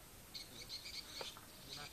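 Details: Swiftlet sound test: faint, thin, high chirps in quick bursts, several within two seconds, over a soft background hiss.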